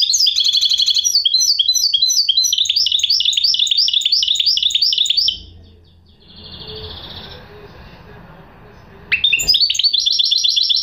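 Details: Goldfinch hybrid song with quick, regularly repeated high chirping notes for about five seconds, a quiet gap with faint room noise and a soft twitter, then the chirping phrase starts again.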